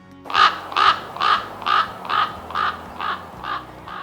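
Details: A common raven gives eight harsh, hoarse caws in a steady series, about two per second, fading slightly toward the end over faint background music.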